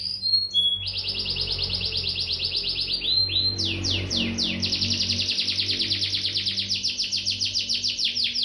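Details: Excited canary singing continuously (gacor), Bandung, Indonesia: brief whistled notes open into dense, fast repeated high trills that change speed and pitch, with a steady low hum beneath.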